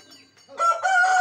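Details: Rooster crowing in the early morning: a loud, harsh, drawn-out crow that starts after a quiet moment and holds a steady strained tone to the end.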